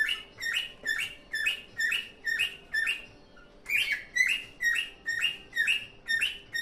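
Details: Pet cockatiel singing happily: a steady run of bright, slurred chirping whistles, about two per second, with a brief pause midway before the even series resumes.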